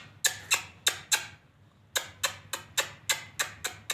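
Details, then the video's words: Lovebird giving rapid, sharp, harsh chirps, four in the first second, a short pause, then about ten more in quick succession, each a bright, scratchy note; faint low hum underneath. "beautiful singing sound of love bird"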